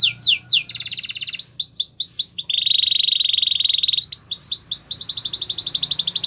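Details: Gloster canary song mixing falling whistled sweeps, a dense buzzy trill, a long steady rolling tour and a fast repeated chirping finish.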